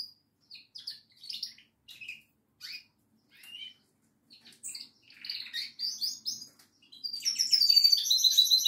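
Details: Singing goldfinch: scattered short chirps and twitters at first, building into a louder, continuous tinkling stream of high, rapid notes near the end.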